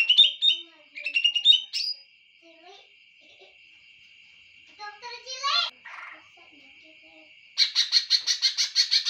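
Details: Greater green leafbird song: varied whistled and chattering phrases, a rising sweeping flourish, then a long rapid series of harsh repeated notes, heard over a constant thin high-pitched hum.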